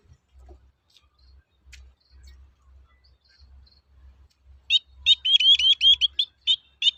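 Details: Long-tailed shrike toet-toet lure song for stirring other shrikes to sing: near quiet with faint low hum, then a loud, quick series of high sharp chirps over the last two seconds.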